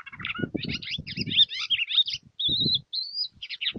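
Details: A caged goldfinch hybrid sings a fast, twittering run of bright chirps and buzzy notes with a few steady high trills, over soft low knocks. The song is used to tutor young birds.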